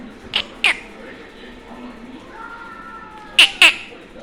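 A young budgerigar gives two pairs of short, bright chirps, separated by a few seconds of near quiet.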